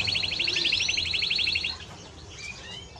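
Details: Timbrado Español canary giving a loud fast rolling trill of evenly pulsed notes for nearly two seconds, then soft faint chirps.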